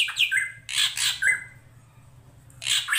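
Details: Drongo (srigunting krantil) recorded as a master for songbird training: harsh, noisy squawks with brief whistled tails come in two clusters, with a quiet gap between them, and flowing water murmurs throughout.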